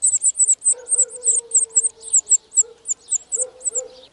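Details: In spring 2018 at a European serin nest in the wild, from an early brood: quick, shrill, jingling notes repeated several times a second over a faint steady low hum.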